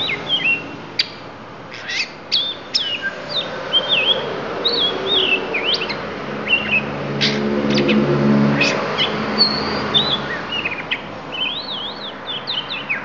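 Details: Lampung oriental magpie-robin, Indonesia, delivering isian phrases: a lively run of high whistled notes, sharp upward flicks and zigzag warbles changing every second or so, against a steady low background drone.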